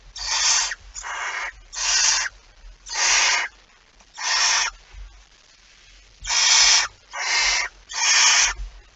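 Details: Barn owl with prey at its nest on 23 September 2019 utters eight rough, hissing screeches, short and evenly loud, in two loose bunches separated by a quieter gap of about two seconds.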